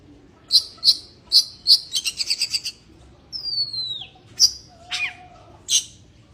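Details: White-rumped shama in breeding condition: four evenly spaced high chips, a fast buzzy trill, then a long clear whistle sliding downward, followed by a few sharp chips and a brief whistled sweep.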